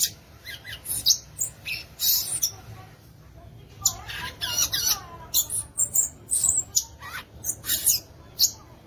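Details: A violaceous euphonia (gaturamo-verdadeiro, guriatã) sings a fast jumble of high squeaky chirps and harsh buzzy bursts, run together in quick clusters with a short lull near the middle.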